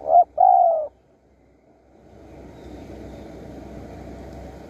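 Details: At a decoy-trapping spot in Surat Thani, Thailand, a wild spotted dove calls once: two brief coos run into a drawn, descending coo, followed by silence and rising low ambient noise.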